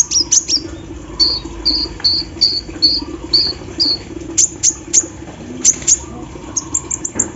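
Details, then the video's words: Olive-backed sunbird set out in the morning dew, its song filled with embroidery-machine-like phrases: a run of short level notes repeated about every third of a second, then sharp high ticking chips. A steady low hum continues underneath. "KOLIBRI NINJA GACOR SAAT DI EMBUNKAN PAGI HARI ISIAN MESIN BORDIR"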